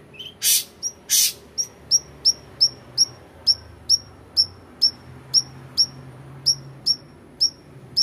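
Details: {'caption': "Long-tailed shrike 'toet toet' lure song: two loud harsh bursts, then a steady series of sharp, high, clipped whistled notes, about two per second, with a faint low hum behind."}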